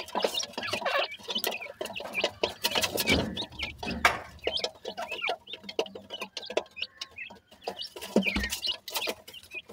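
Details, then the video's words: Francolin chicks, known as dakhni teetar, keep up a steady chatter of small high chirps and twitters while playing, against constant scuffling, knocks and a soft background hum. "titar cheks ke voice"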